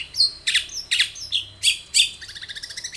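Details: Long-tailed shrike singing to draw a response from others of its kind: loud rasping notes about every half second, ending in a quick string of softer ticking chips.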